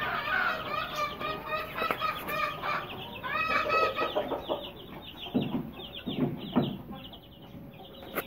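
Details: Aseel chicks, 20 days to 2.5 months old, held for sale; harsher harmonic clucks and squawks in uneven bursts mix with high peeps, followed by softer low thuds and scattered chirps toward the end.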